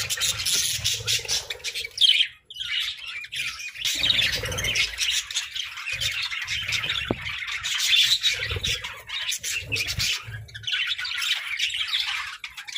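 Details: Colorful captive budgerigars fill the room with continuous chirping and warbling, many high scratchy notes overlapping, a brief lull near two seconds, then chatter resumes with occasional soft thuds.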